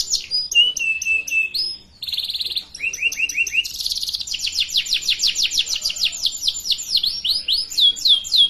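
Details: Song of a canary meant to teach young birds to sing: varied tours of sharp high chips, a steady low whistled note, buzzy rattles, falling whistled slurs, then a long rapid series of repeated rising notes.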